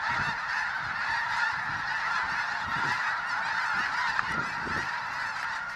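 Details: Thousands of snow geese, spooked from a field at a refuge and flying low overhead, fill the air with unbroken clamorous honking, many voices blending into a roaring chorus with wing noise.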